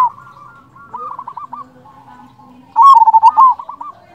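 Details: Local Indonesian zebra dove in lively calling form, played as a lure to draw other doves into answering: soft runs of quick, bubbling coos, then a loud burst of about eight rapid staccato coos, with fainter coos trailing after.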